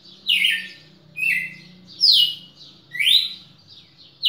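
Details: Short burst of red-cowled cardinal song recorded in Pernambuco on 10 December 2017: strong descending whistles and one rising slur, spaced under a second apart, with a low hum underneath.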